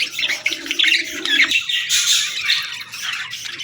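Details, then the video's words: Baby budgerigars calling for food with a rapid run of high, scratchy chirps and squawks, several birds overlapping, about two calls a second, loud throughout. "Baby Budgies Chirping Sounds | Adorable & Relaxing Budgie Calls"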